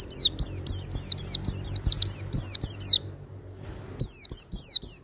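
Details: Oriental white-eye singing for cage-bird training, smooth and powerful voice. Fast chain of about ten bright, high, falling whistled notes, a second of quiet, then four more, with soft low hum behind.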